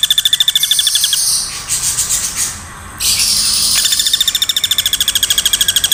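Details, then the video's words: Woodpecker calls used as a master sound for training songbirds: rapid, continuous high rattling notes, broken by a noisy hissing burst in the middle before the fast rattle resumes. "MASTERAN PAKE SUARA PELATUK TEMBAK TANPA JEDA"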